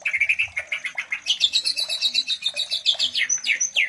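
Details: White-rumped shama mating sound for stimulating breeding in other shamas; steady rapid series of buzzy, repeated notes about five per second, with a whistle at the close.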